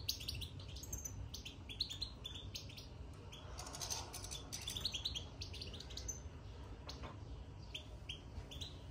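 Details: Caged European goldfinch singing after entering its cage: quiet, scattered high twittering chirps and short buzzy notes, with a steady low hum underneath.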